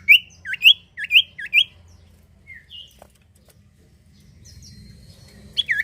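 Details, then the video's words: Common iora song used as a lure to prompt other birds to sing: a run of four loud, sharp, hooked whistled notes repeated about every half second, then softer slurred whistles after a pause and a final burst. "sirtu atau cipoh gacor manjur buat pancing bunyi burung bahan"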